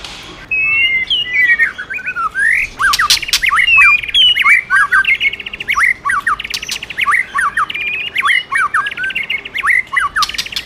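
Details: Energetic white-rumped shama song prompted by a female, rich looping whistles alternating with rattling buzzy trills and sharp clicks, delivered continuously after a brief quiet start.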